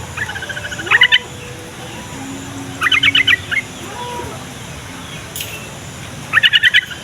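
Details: Yellow-vented bulbul song used to prompt young and reluctant bulbuls to answer: three short bursts of rapid bubbly chattering notes at roughly two-second intervals. Lower drawn-out tones and another bird are in the background.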